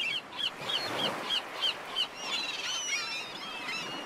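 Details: Black-headed gull giving a rapid series of short, harsh, high calls about three per second for two seconds, then softer overlapping calls from other birds.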